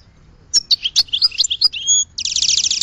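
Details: Short goldfinch phrase of bright separate chirps and slurred notes, ending in a dense, buzzy, rattling twitter.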